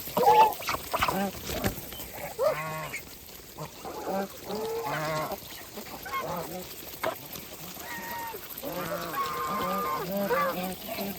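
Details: Several geese on a farm, feeding and eating, give honking, nasal calls in overlapping bursts, with harmonic stacks repeated over about eleven seconds amid light background noise.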